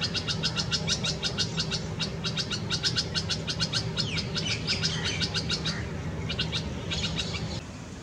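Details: Red-vented bulbul with chicks at a Karaunda bush nest in a Delhi garden, India, hot May 2020: quick high chip series, then a few sliding whistled notes midway, chipping fading toward the end, low hum behind.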